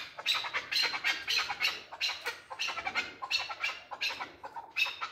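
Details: A male chukar partridge utters rough, scratchy chattering notes grouped in quick bursts separated by brief pauses, with a faint low hum underneath.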